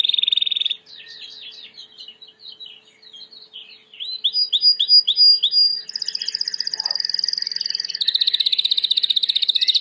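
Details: White Timbrado canary singing clean song for training: a short loud trill, quiet scattered twittering, a string of upslurred whistles, then long rapid rolls growing louder toward the end.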